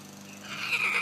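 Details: A Blue-and-yellow (blue-and-gold) macaw, a talking pet on a summer day, gives a brief, harsh, raspy utterance that swells louder over about half a second amid its jabbering. Nothing else is clearly heard.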